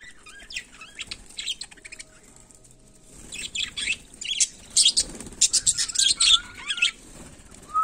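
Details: Budgerigar (Melopsittacus undulatus) chattering: irregular bursts of harsh, buzzy, high notes mixed with short rising whistles, growing busier and louder in the second half, with wing flapping heard.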